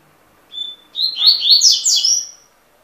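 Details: High, quick phrase of a double-collared seedeater: a short pure whistle, a tiny pause, then a fast tumbling run of sharp, sweet chirps and trills, with nothing else clearly heard.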